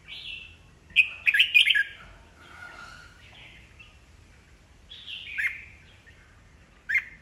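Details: Old wild-caught red-whiskered bulbul, kept by a songbird hobbyist, singing to provoke rival birds into competitive singing: bright warbled, whistled phrases near one, five and seven seconds, separated by quieter chatter and pauses, over a faint low hum.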